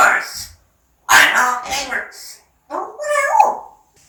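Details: Parrot talking indoors, three speech-like phrases with strong harmonic vowels, the final phrase a wavering, slightly squeaky utterance.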